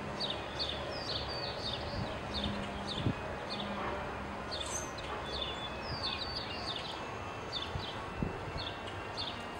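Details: American goldfinch at a feeder: quick, high chirps and short falling notes repeated several times a second, over a steady outdoor hum.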